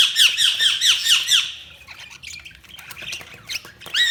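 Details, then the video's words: Budgies give a quick burst of high, bright, curving chirps for about a second and a half, then softer scattered notes and clicks follow. "Budgies Chirping sound"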